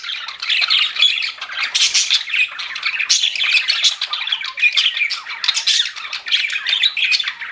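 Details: Steady, lively chatter from pet budgerigars, a thick mix of harsh squawks, clicks and warbled chirps running continuously with no quiet gaps.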